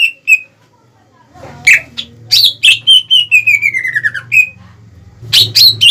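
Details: Greater green leafbird singing to raise rival birds' aggression. Scattered notes over a low background hum, then sharp bursts and a long series of whistles gliding downward. Loud chirps at the close.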